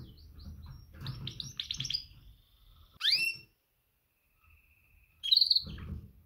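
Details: Female canary calling to males as a mating call: a fast series of high chirps near the start, then two sharp rising upswept chirps spaced about two seconds apart, separated by a quiet gap.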